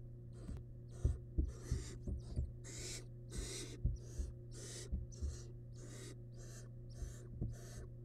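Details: Wild barn owl nestling in a monitored nest box, devouring large rabbit remains. Rasping, broadband hissing bursts repeat about twice a second, with dull low thumps from movement and a steady electrical hum underneath.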